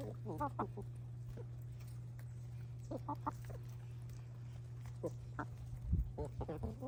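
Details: Hens feeding on a winter treat, making scattered bursts of short stacked clucks and soft murmurs every second or so over a constant low hum.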